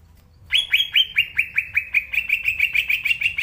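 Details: Cucak ijo, the green leafbird, in full energetic song: a fast steady series of bright upslurred whistles, roughly five per second, continuing evenly for three seconds with no other sounds.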